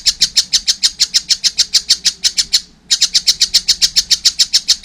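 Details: Immature collared kingfisher giving brisk, loud, high chattering notes in two runs split by a short gap, about three to four notes per second.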